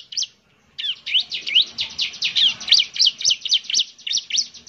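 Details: Semi-trained bar-winged prinia lure song: a brief opening note, a short gap, then a fast steady run of high, sharp, sweeping chip notes repeated several times per second.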